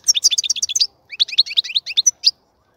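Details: European goldfinch in a breeding cage giving two rapid bursts of bright repeated twittering notes, about a dozen each, separated by a short pause.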